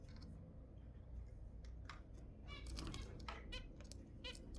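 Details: Zebra finches give brief stacked honks and tinny beeps, sounds used to encourage mating, bunching into quick runs after a quieter start, over a low indoor hum.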